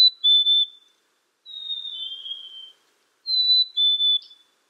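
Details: Black-capped chickadee singing its clear two-note whistle, a higher note sliding to a lower one, given three times in quick succession against a silent background.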